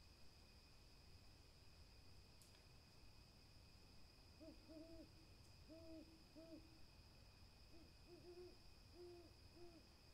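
An owl gives low, short hoots in quick pairs and small clusters over the second half, against a steady high-pitched whine and soft background noise.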